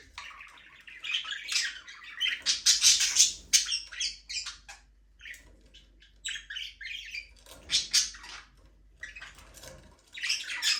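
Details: Free-flying budgies in a small aviary produce clustered scratchy chirps and squawks, loud at first, then sparser calls, with another rush of chatter near the end.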